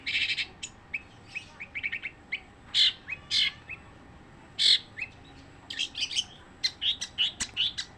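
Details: Non-stop song of a long-tailed shrike, a rapid medley of high chattering chirps, short buzzy bursts and sharp ticks, grouped in quick clusters with brief gaps, louder stretches near the middle and a busy run of notes at the end.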